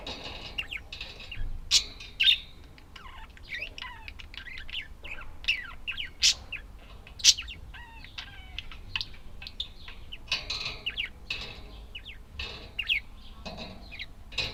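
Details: Budgerigars chattering, a busy stream of short warbled chirps and whistles rising and falling, with several louder sharp notes scattered throughout.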